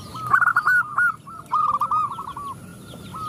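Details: Zebra dove, a female calling to males with other doves answering: a repeated series of short, bubbly cooing notes in phrases, with faint higher chirps from other birds in the background.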